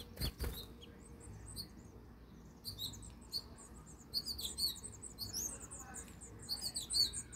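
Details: House finch babies being fed in Michigan, giving thin, high, squeaky chirps in irregular bursts, with a couple of sharp knocks at the start.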